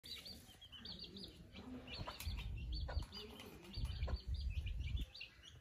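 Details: Parrot enjoying a bath, giving rapid high chirps and squeaky chattering notes in quick succession, with splashing and flapping wing noise underneath, louder in the second half.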